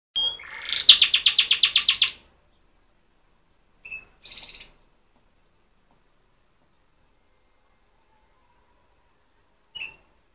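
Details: Young orange canary, still learning to sing, gives a two-second burst of fast, buzzy, high chirps, about four a second, then a few short squeaks after long pauses.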